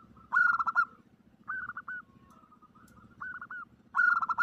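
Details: Female zebra dove calling a male, a lure sound in the omyokan style: rhythmic bursts of throaty, trilled cooing notes, repeated in short phrases roughly every second and a half over a low steady hum.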